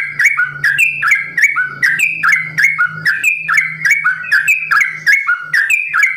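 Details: Captive sooty-headed bulbul in full ropel song, simbar jati variation; rhythmic phrases of two or three bright whistles, each slurring downward, repeated almost every second, backed by a continuous low electrical-sounding hum.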